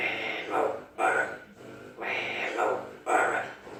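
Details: Amazon parrot said to know 40 phrases and to sing, talking indoors: harsh, rasping speech-like bursts, each about half a second to a second long, with short gaps between them.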